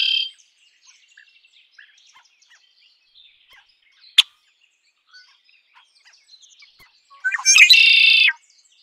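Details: Red-winged blackbird song: a short high note at the start and a sharp click midway, then after near silence a loud, buzzy, harmonic trill lasting about one second toward the end.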